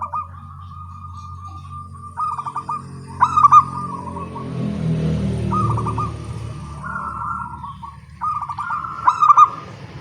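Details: Local zebra doves singing to each other in the morning: bubbling trilled coos and two loud clipped bursts, partly overlaid by a swelling low rumble in the middle.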